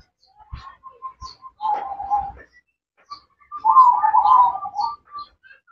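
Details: Female zebra dove calling to the male: scattered short soft notes leading to two bursts of dense rolling coos, the second louder and longer, ending in a few faint single notes.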